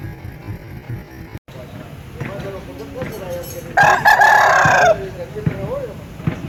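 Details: Aseel rooster giving one loud, harmonic crow lasting about a second, with a wavering tone, among softer clucks and background noise.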